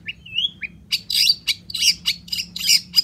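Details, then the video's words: Long-tailed shrike in lively song, played to coax reluctant shrikes into singing: opens with a soft rising whistle and a short note, then a rapid run of harsh, buzzy, scratchy bursts about every quarter second. "SUARA CENDET GACOR"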